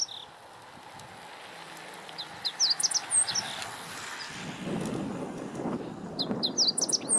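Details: At Lake Teganuma in April 2017, a meadow bunting delivers two rapid phrases of high, clipped, chirping notes, each under a second long, over soft background rumble.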